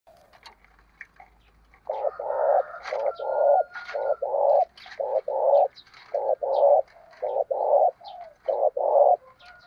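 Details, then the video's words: Decoy spotted dove cooing to provoke fighting, in the style of a wild dove. Low hoarse coo phrases repeat rapidly, about one per second, with faint higher chirps and a thin whistle-like tone behind. "Chim Cu Mồi, tiếng chim cu gáy thúc đấu chuẩn tiếng cu rừng gáy"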